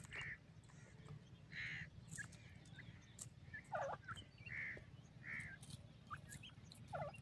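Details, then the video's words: A partridge gives short husky notes every second or so, mixed with a few lower, dropping calls, over a steady low rumble. "Partridge Tweets"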